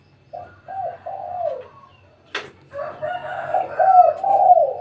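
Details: Spotted dove calling at midday at home: several short, low, soft coos, then a sharp click, then a longer, wavering run of low cooing notes with a rougher, harmonic-rich sound layered over it.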